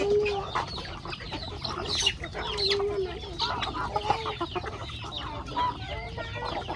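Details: Hungry chickens feeding on corn in a rustic backyard farmyard: a steady jumble of clucks and short chirping notes from several birds, with one low drawn-out note near the start, over a constant background rustle.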